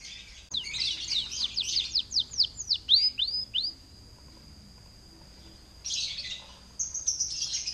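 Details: Canary song meant to lure other canaries into singing: a dense fast trill and falling sweeps, then a long thin steady whistle, followed by further bursts of buzzy trilling.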